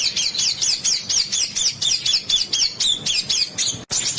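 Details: Bird master song with rough besetan notes for competition bird training: repeated looping, slurred high chirps about twice a second over a steady background hiss.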